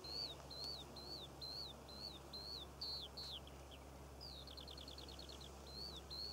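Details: Cornwall poppy fields in June with a skylark singing: a regular run of high hooked chirps, a few quick descending notes, then a fast repeated trill before the chirps resume; low hum throughout.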